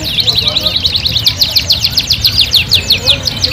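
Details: Canary singing a fast run of repeated rising and falling high whistled sweeps, about a dozen notes per second, bright and continuous, a gacor master song for tutoring other kenari, over a quiet low background hum.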